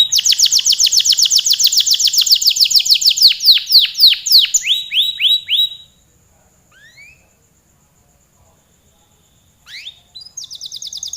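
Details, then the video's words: Canary in full long song, lively and persistent: rapid high trills of repeated notes, then sweeping upslurred whistles, a pause with a few rising calls, and a fresh fast trill starting at the end. "Suara burung kenari gacor kicau panjang"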